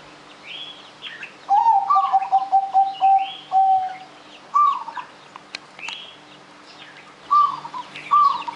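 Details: Zebra dove's anggungan song, used as a lure to prompt other birds to sing: a rising opening note, then a rolling run of about seven low, even cooing notes, followed by short repeated phrases. Higher chirping birds sound in the background.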